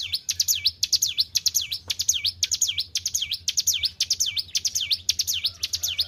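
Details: Kept white-browed shortwing in full song, producing a steady series of sharp, swooping whistles that dip down then rise again, about two per second, over a faint low background hum.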